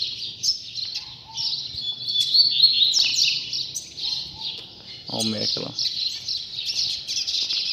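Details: Singing in the last coleiro puxada of 2019, a Double-collared Seedeater gives continuous high, buzzy twittering against steady background noise, with a short human voice partway through.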